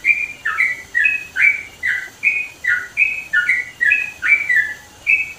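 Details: Sooty-headed bulbul singing in the mountains of East Java, Indonesia: loud, bubbly whistled notes in short falling and rising pairs, repeated steadily about twice per second with no other sounds.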